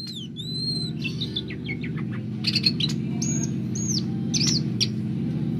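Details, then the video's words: Greater green leafbird, a kept bird, singing energetically in Banjarmasin, South Kalimantan: high clear whistles and arching slurred notes, some sharp clicks, over a loud constant low droning hum. "cucak hijau gacor dor"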